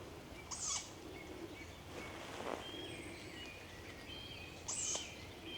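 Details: Begging calls from one or two recently fledged tawny owl (Strix aluco) chicks low on a woodland slope on an evening: two brief, high, wheezy hisses about four seconds apart, over a quiet woodland hush with faint chirps from other birds.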